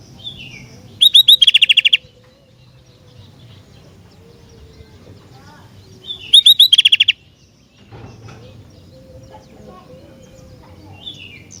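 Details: Sooty-headed bulbul singing energetically. Two short bursts about five seconds apart, each a few whistled notes running into a rapid string of clipped, repeated chirps. Low background rumble between phrases.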